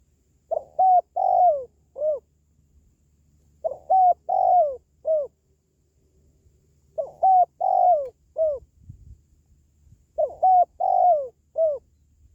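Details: Spotted dove, a call played to encourage pet doves or attract wild birds when trapping. Four repeated phrases of short and longer downslurred coos come roughly every three seconds over a faint low hum.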